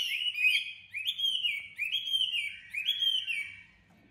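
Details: Sharp-voiced tame Chinese hwamei from Hanoi repeating four similar clear whistled phrases, each a slurred swoop about a second long, fading at the end.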